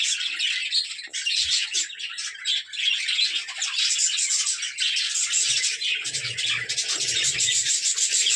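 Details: Many budgerigars in a breeding colony, chicks present: steady high chattering and chirping throughout, a dense flock chorus with scattered low thumps from handling in the later seconds.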